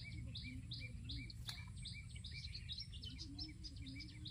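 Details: Olive-backed sunbird in a garden, continuous bright high chirping and twittering, densely repeated, with a brief sharp click near the middle and a low droning hum beneath.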